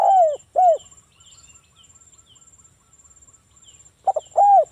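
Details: A local Spotted dove sings its cooing lure song for prompting other doves to call. Mellow falling coos open and close the stretch, with faint chirps and a steady high whine in the quiet middle.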